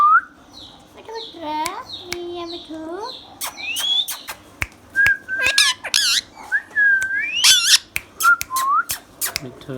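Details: Pet talking ringneck parrot mixing speech-like chattering phrases with harsh squawks and bright whistled notes, some rising and some falling, in a busy run of varied sounds with sharp clicks between them.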